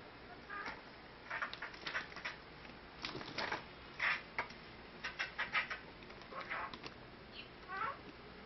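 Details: A crested myna (Acridotheres cristatellus) kept in a house gives bursts of harsh, chattering notes and squawks in irregular clusters, ending with a couple of falling whistled notes, in a quiet indoor room.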